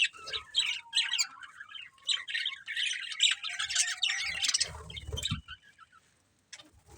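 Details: Budgerigar breeding pair giving a rapid run of sharp, high chirps and squawky notes over a faint steady tone, ending with a low thump and a short quiet stretch.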